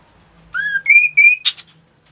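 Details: Ashy tailorbird kept as a songbird, giving a short loud phrase: a rising whistle held steady, two longer level whistles, then a sharp buzzy note, all in about one second.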